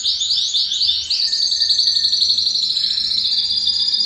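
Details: Belgian canary singing to bring males into song and females into breeding condition, a bright, fast, pulsing high roll that starts with rising sweeps and then holds a steady rapid trill.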